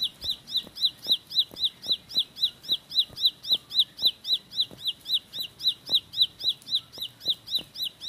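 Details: Bar-winged prinia (Prinia familiaris) singing a fast, even run of bright, sharp chirps, nearly four each second, steady throughout, with faint soft ticking underneath.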